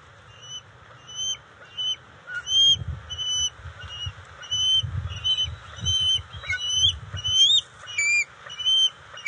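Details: At the NCTC bald eagle nest on June 29, 2021, during eel and fish deliveries to juveniles, a long run of high, clear whistled notes repeats roughly every half second. The notes turn to squealing, wavering chirps near the end, over a low rumble.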